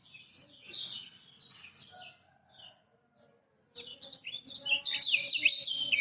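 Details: Lemon-bellied white-eye, Lombok, master song used to coax silent birds into singing: scattered high twitters that fade to a pause, then a loud, fast, continuous high warble.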